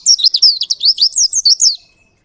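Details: Short burst of 'ngerol' song from a ngalas Oriental white-eye used as a tutor recording: a dozen rapid, high, wavering chirps in under two seconds, then silence.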